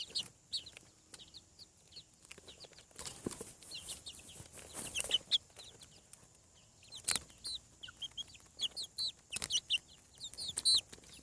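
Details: Chicks hatching on a farm peep continuously: many thin, high, descending notes, often in quick runs of two or three, overlapping from several birds, with intermittent rustling and knocking noises.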